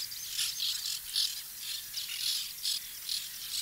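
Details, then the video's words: Colony of nesting white-winged terns in 2021, several birds giving short, harsh, high squawks in quick irregular succession, around three per second, with steady background hiss. "In a colony of white winged terns"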